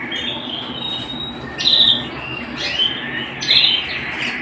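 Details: Domestic canary song at home, steady sustained whistles with three loud rattling bursts at about 1.7, 2.8 and 3.5 seconds, each stepping the pitch up before the held tone resumes; faint room noise behind.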